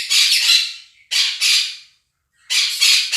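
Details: Pet Quaker parrots, a pair kept at home, drowning out recorded budgie chatter with loud, grating screeches in three separate bursts, each a couple of harsh, broad squawks, with a short silent gap between them.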